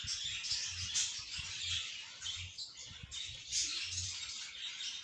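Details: Budgerigar chicks outside the nest for the first time give a rising and falling chorus of high, scratchy chatter in bursts, over faint low patter and bumping sounds.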